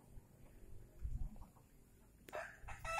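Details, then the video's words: A rare Indonesian kampung (village) rooster: after two seconds of quiet low rumble, it bursts into a loud, harsh, ringing crow that is cut off as it begins. "Suara ayam kampung yang langka"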